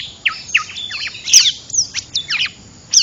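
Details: Lure sound of an oriental magpie-robin, played to trap birds: separate clear whistles sliding downward, interspersed with sharp high chirps, a faint steady high tone beneath.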